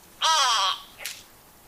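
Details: Grey Go-away-bird, often in small groups perched conspicuously on trees and bushes: one loud nasal, bleating go-away call lasting about half a second, followed by a brief, fainter harsh note.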